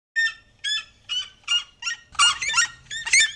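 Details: Captive pair of red-legged seriemas making their call: loud, harsh yelping notes, five spaced about half a second apart, then a faster overlapping burst, over a low rumble.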